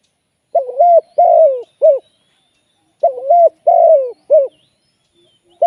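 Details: Live decoy spotted dove kept for trapping repeats its three-note coo about every two and a half seconds. Each phrase has a short note, a longer falling croo and a clipped end note, in near silence.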